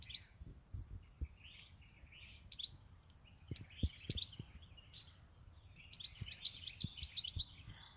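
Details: Goldfinch kept for eight years. Scattered short chirps and buzzy notes with pauses, ending in a fast, bright, high twittering trill with a few soft taps in the background.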